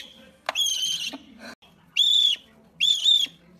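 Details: A rare owl calls in three high, clear whistles. The first is longest and the last two are shorter and evenly spaced. Soft clicks and a low background hum are heard between the notes.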